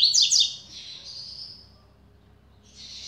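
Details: Captive double-collared seedeater (coleiro), a newly acquired bird: a quick burst of high, sharp chirps that runs into a buzzy, slightly falling trill, a pause, then another high buzzy phrase.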